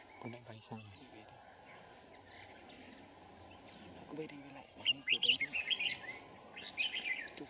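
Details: Red-whiskered Bulbul heard while wild birds are trapped using a decoy, Kim Bôi, Hòa Bình, Vietnam, winter morning of 3 January 2018; men's voices first, then a run of sharp, chirpy warbled notes near the end.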